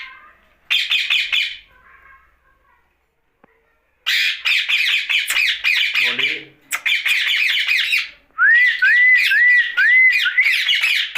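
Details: Pet rose-ringed parakeet at night giving repeated grating squawk bursts with brief silences, closing with a run of four rising whistled notes over continuing harsh chatter.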